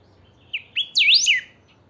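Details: Kept saffron finch singing in pica style; two brief chips followed by a sliding, swooping flourish that climbs and falls quickly, clean and high with little background noise.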